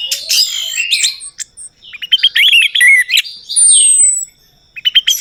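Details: Orange-headed thrush lure song: scratchy opening phrases, then a fast series of chipping notes and twittering, a long high whistle, a brief pause, and renewed chips.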